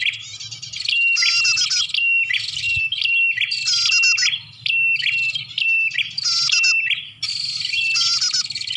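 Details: Lure call of the Bar-winged prinia used to attract birds: layered high chirps and short whistled notes repeat in quick phrases. Loud, buzzy, harsh bursts return roughly every two seconds, with brief pauses between.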